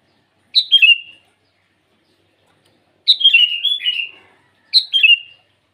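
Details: Sooty-headed bulbul calling rivals in the morning: three short bright phrases of slurred whistled notes, each dropping in pitch and ending in a brief trailing tone, separated by silent pauses.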